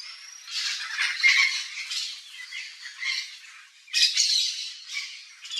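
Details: Wild Yellow-faced Parrot (Papagaio-galego) visiting a backyard in Brazil's Cerrado biome, giving harsh, raspy squawks in a near-continuous chatter of overlapping bursts, with a louder, sharper outburst near the end.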